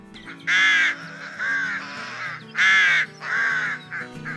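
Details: Rook in Poland gives harsh, grating caws, about one every second, alternating loud and softer notes, over a steady background music bed.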